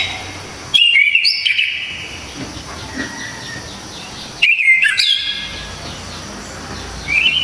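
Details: Orange-headed thrush (anis kembang) with a loud, sharp, clear song used for training cage songbirds, giving rich bursts of whistled and scratchy phrases, two main bursts about four seconds apart, with quieter notes between.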